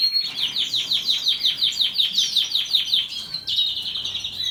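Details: Canary singing a long rolling trill of rapid repeated notes, about two to three per second in pulses, steady and buzzy, shifting to a higher sustained trill toward the end.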